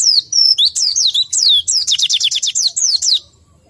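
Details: White-eye lacking breeding condition gives a high, lively song of downslurred whistles and a rapid sequence of repeated chirps, then quiet.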